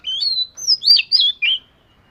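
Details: Oriental magpie-robin of the fish-scale variety, singing for daily voice training: a loud run of clear whistled phrases, some rising and some sliding, in four to five quick bursts over a silent background.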